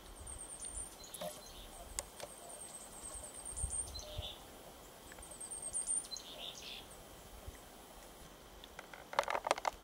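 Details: A chickadee singing in spring at a lakeshore in the afternoon gives soft, clear whistled notes falling in pitch, a few seconds apart, over high thin chirps of other birds and a brief rustle near the end.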